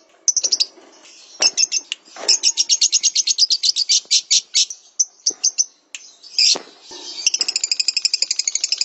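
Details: Lovebird singing on a training master recording: long, rapid, pulsing high trills of about seven notes per second, broken by short gaps and a few harsh scratchy notes, with one buzzy trill at the end.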